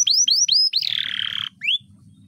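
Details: Canary singing in an excited state ahead of a songbird contest: four quick rising whistled slurs, then a long buzzy, rattling trill lasting about three-quarters of a second, ending with one more upswept whistle over a soft background hum.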